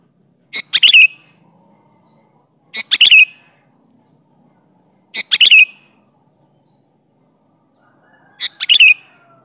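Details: Sooty-headed bulbul singing a lively fill-in-rich song meant to lure other bulbuls into replying. Dense, bubbly chattering phrases about half a second long repeat roughly every two and a half seconds against a quiet background.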